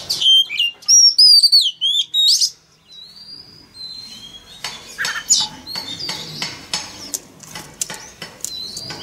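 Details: Male Oriental magpie-robin singing to stimulate a young bird's song: a loud opening burst of zigzag whistled notes, then softer scattered chirps and clicking sounds.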